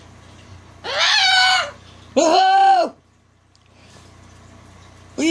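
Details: Pet cockatoo being vocal and having fun, teasing: two loud, raspy, drawn-out screeches, each about a second long and arching in pitch, with a quiet gap between them and the start of a third call at the end.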